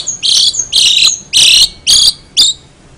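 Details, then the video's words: Long-tailed shrike singing strange sounds: five harsh, buzzy, noisy bursts, each about a quarter to half a second long, spaced roughly half a second apart. "cendet gacor suara aneh"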